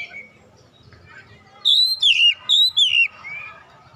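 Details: Oriental magpie-robin (kacer), a young bird prompted to sing: four loud clear whistled phrases, each sliding down from high pitch, given in two pairs over about a second and a half.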